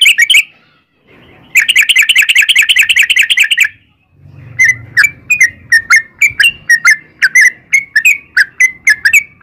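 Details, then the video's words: Sooty-headed bulbul in fast 'ropel panjang' style, used as a lure to get other bulbuls singing: a dense two-second run of rapid buzzy notes, then a quick series of sharp, downslurred chirps repeated about three times a second. "trucukan gacor ROPEL PANJANG"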